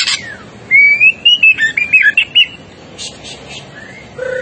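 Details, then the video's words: Vigorous, agitated white-rumped shama song: a long, loud series of fluty whistles rising then tumbling into rapid varied notes, followed by quieter chips and a short rising whistle. "MASTERAN MURAI BATU GACOR ! LANGSUNG NYEMPLONG & EMOSI !!!"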